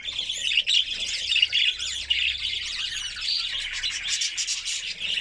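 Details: A white canary sings to stimulate females for mating, delivering rapid buzzy rolls and twittering trills in quick succession, high-pitched and continuous for the whole stretch.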